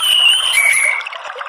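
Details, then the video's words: An orange-headed thrush, used as a lure and therapy call to provoke other birds to answer, gives a clear, sustained whistled phrase that steps down in pitch partway through, then fades into a soft rustling, watery background. "bikin ANIS MERAH spontan EMOSI NYAUT NGEPLONG ¦ TERAPI KICAUAN NGERIWIK"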